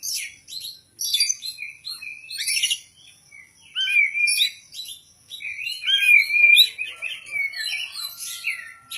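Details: Oriental magpie-robin (kacer) ready for a singing contest, rich in song material: a varied, fast stream of high whistles, slurred notes and chattering trills, with brief pauses between bursts.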